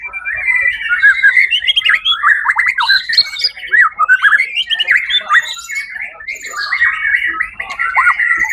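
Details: White-rumped shama that won first place in a songbird competition, 1 October 2023, keeps up continuous loud song of dipping whistles, harsh squawky notes and rapid chatter, with steady energy throughout.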